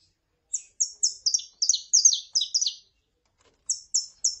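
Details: Saffron finch female calling with a male singing, used to excite a captive bird: a quick run of bright, high, slurred chirps in close series, a pause, then three more evenly spaced notes. Clean, quiet background.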